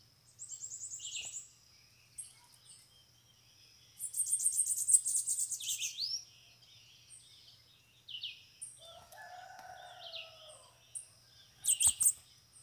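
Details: Several loose bananaquits around a cage used to lure them in: repeated high, fast buzzy trills in bursts, interspersed with slurred chirps, a lower drawn-out tone midway and sharp clicking notes near the end.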